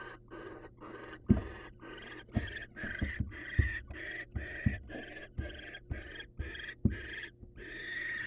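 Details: Wild male barn owl bringing prey to his patient female: a long series of rasping, hissy screech bursts, about one per second, uneven in spacing, with low thuds and a constant electrical hum.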